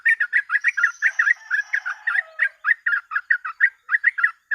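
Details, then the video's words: Yellow-vented bulbul in lively, nonstop chattering song: rapid, slurred chirpy notes tumbling about five per second with no pause, plus a faint thin whistle held behind the first second. "TRUCUK GACOR ROPEL MASTERAN PANCINGAN BURUNG TRUCUK"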